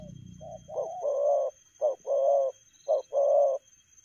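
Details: Rapid 'lèo gù' cooing from a spotted dove, delivered at speed: a soft opening note, then three short-long coo pairs about a second apart, all mid-pitched and mellow.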